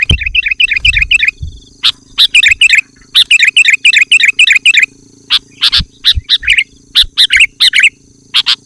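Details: Sooty-headed bulbul pouring out loud, close-packed song to lure wild bulbuls and challenge rivals: clustered bubbly warbles in rapid groups, then spaced sharp chips with short phrases, over a low steady hum.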